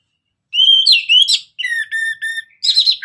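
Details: Orange-headed thrush singing vigorously to prompt other birds: a rising whistled run, a series of low steady whistles with harmonic overtones, then a burst of higher, rougher notes.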